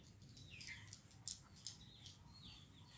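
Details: Hundreds of swiftlets foraging in the morning, feeding on emerging winged termites; brief high, thin chirps and twittering strokes come scattered and overlapping from several birds over a steady low background rumble.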